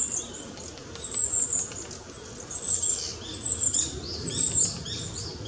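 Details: Recently fledged long-tailed tit feeding busily in the trees: a series of very high, thin, sibilant calls repeated about once a second, with soft rustling between them.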